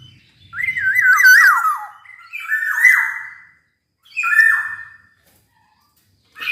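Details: Black-naped oriole singing: three fluty, wavering whistled phrases, each ending in a harsher, rasping tail, spaced about one to two seconds apart.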